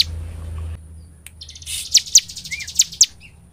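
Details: Cinereous tit (ciblek) singing as a lure to prompt other birds to sing: a few sharp high chirps after a brief low hum, with a short rising note near the end.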